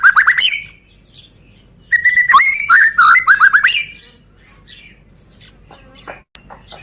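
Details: Medan-type white-rumped shama song used to draw other birds into singing. A loud opening trill is followed by a rapid string of bubbling whistled notes, then quieter varied chirps and thin upslurs.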